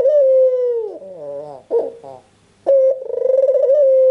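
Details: Albino Barbary dove, white with red eyes, cooing persistently to prompt other doves to call. A long steady mid-pitched coo with rich overtones drops into softer wavering notes. A silent gap follows, then a sharp onset into another sustained coo with a rapid pulsing flutter.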